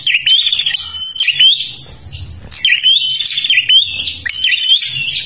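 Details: Prinia from Kalimantan singing energetically as a lure for other birds: rapid high chattering phrases with short steady whistles recurring about every second, one sharp upward note near the middle.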